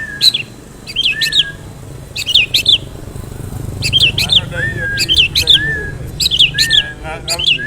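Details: Long-tailed shrike lure song of sharp, wavering chirps in short clusters, with softer slurred whistles between them and a steady low background hum.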